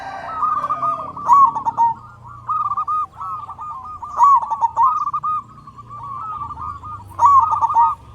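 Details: Loud-voiced local zebra dove used as a lure to make other zebra doves call; rolling, trilled cooing phrases of mid-pitched notes, repeated about every three seconds, over a steady low background hum.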